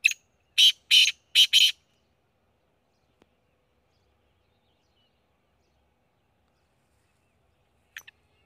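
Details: Black quail giving a quick burst of four sharp, rasping high notes in under two seconds, then long silence broken only by a faint short sound near the end.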